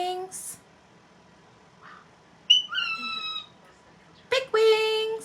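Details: Pet cockatiel talking indoors: short, high, slurred voice-like phrases with a falling tone near the middle and a longer steady note at the end, separated by quiet gaps, plus a brief hiss.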